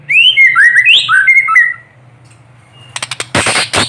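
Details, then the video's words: Caged white-rumped shama singing while sunned in the morning, used to prompt quiet shamas to sing; rich whistled phrases sliding up and down for nearly two seconds, then a pause and harsh clicking bursts. "TEMBAKAN MURAI BATU GACOR BONGKAR ISIAN SAAT DI JEMUR PAGI HARI //PANCINGAN MURAI MACET BUNYI"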